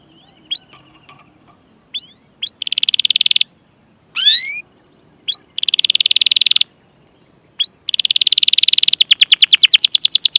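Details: Canary chirping and rolling song for coaxing young or silent canaries: isolated high notes, bursts of dense buzzy rolls separated by pauses, a rising swept whistle, and a closing fast trill.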